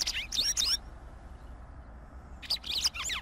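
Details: White wagtail singing: two brief bursts of high, quick twittering notes separated by nearly two seconds of quiet background.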